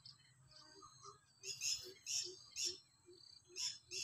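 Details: Black francolin, Sindhi type, heard at a distance giving harsh buzzy bursts repeated roughly every second, over a steady background of soft chirps from smaller birds and low hum.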